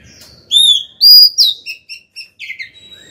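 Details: Female white-rumped shama singing to call the male: three loud, sweet whistles followed by a string of short clipped notes and a fading high whistle.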